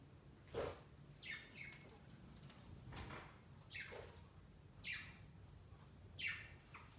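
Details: Pet budgerigars on a large Christmas tree beside their cage, celebrating their first Christmas; scattered rough, falling chirps about every second mixed with soft wing flutters and rustling thumps as birds move among branches.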